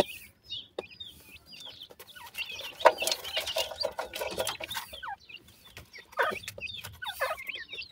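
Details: Black francolin chicks of dakhni and sindhi teetar types feeding and playing, uttering short high slurred peeps in loose groups, with a noisy rustling, clicking passage in the middle.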